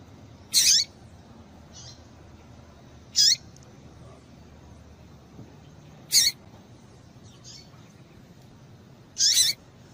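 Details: Female Yellow-bellied Seedeater call, used to excite males into singing: sharp, brief, high chip notes repeated about every three seconds, with faint softer notes between them over a quiet hiss.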